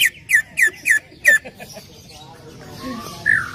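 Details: Greater green leafbird song used to encourage another leafbird to sing: five loud, sharp downslurred whistles in quick succession, then a quieter stretch with softer notes and one final whistled note.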